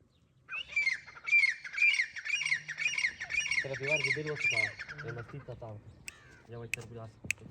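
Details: Partridge (tetar) calling in a clear recording: a run of about eight harsh, grating, squawky notes repeated in quick succession over four seconds, then stopping as low human voices and a few clicks take over.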